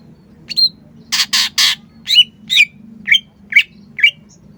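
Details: Cucak ijo song opening with a thin whistle and three broad, harsh rasping bursts. It continues into a steady sequence of downward-curving whistled notes about twice per second, over a low hum.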